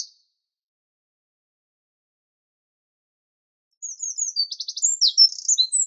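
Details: Eurasian wren: after a long silence, a loud burst of very high rapid notes with a dry rattling trill in the middle, delivered at great speed.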